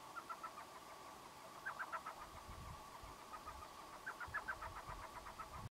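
Elf owl giving quick bursts of high, yipping chuckles, several notes close together, repeated in small groups. A steady engine-like hum and low rumbling run underneath.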